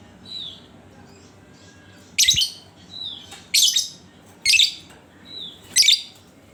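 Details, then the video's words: Lovebird lure song meant to set other lovebirds singing: four loud, shrill, rasping chatter bursts roughly every second, separated by soft thin whistles, over a faint constant hum. "Panciangan Burung Lovebird"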